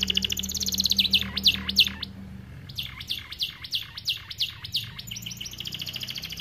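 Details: Starblue AF canary singing a tutor song for training young birds: sharp descending whistled sweeps repeated in series, then a pause and further bursts of quick dropping notes and high trills, over a steady low hum.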